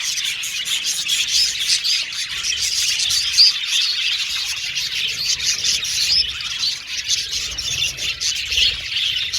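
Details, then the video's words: Many budgerigars chirping together in an aviary colony, a steady high twittering wash punctuated by sharp ticks and brief squeaky whistles, loudness rising and dipping gently throughout. "Beautiful Budgies Chirping Sound"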